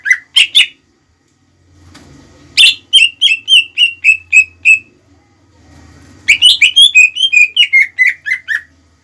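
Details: Greater green leafbird song used to provoke rival leafbirds, young or untrained: bursts of clear whistled notes repeated in quick runs, each note dropping slightly in pitch, separated by short quiet gaps with faint low background hum.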